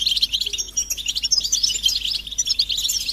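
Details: Group twittering of European goldfinches, described as mating and readiness calls that prompt males to sing: bright, fast, overlapping high chirps and short trills in an unbroken stream.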